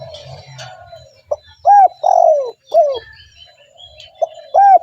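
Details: Spotted dove calling as a lure for other doves: loud rounded coos in a short phrase, a brief note then two arched coos and a long falling coo, over faint softer background cooing.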